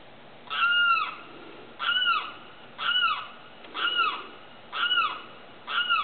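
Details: At night, a Limpkin, a big grey bird with a long, slightly down-curved bill, gives loud, wailing, down-slurred cries, six in a row about one per second, each harsh and ringing.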